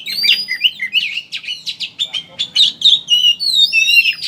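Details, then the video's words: Oriental magpie-robin in chattering ngeriwik style, used as a lure to make birds sing with open beak: rapid, varied run of sharp chirps, buzzy trills and short rising whistles, about three notes a second, with a faint low hum underneath. "Suara Burung Pancingan Kacer Ngeriwik Agar Ngeplong Buka Paruh"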